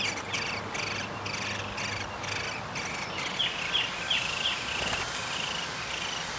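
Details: Downy woodpecker at the nest during feeding, 20 May 2021: a rapid series of harsh, buzzy pulses repeated about three times a second, then thinner high chirps and squeaks over steady background hiss.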